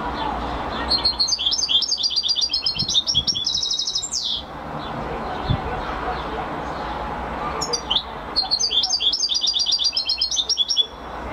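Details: European goldfinch singing two long phrases of rapid, stuttering trills and buzzy chirps, each closing with a sweeping slurred note, over a low background rumble.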